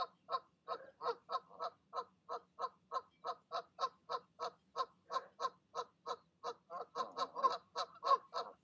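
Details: Parent goose calling goslings to jump from the nest on an evening in 12 05 20; a steady train of short honks about three per second, growing louder and rougher at the end.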